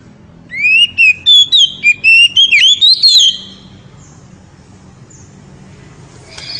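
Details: Very loud ngeriwik song of an oriental magpie-robin aimed at exciting the female: a rapid series of about ten sharp whistled pulses, swooping up and down, then a quiet hum.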